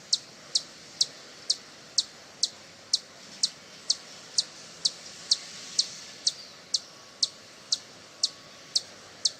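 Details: Hummingbird call played to attract hummingbirds: sharp, high clicking chips repeated about twice per second, steady and evenly spaced, over faint background hiss.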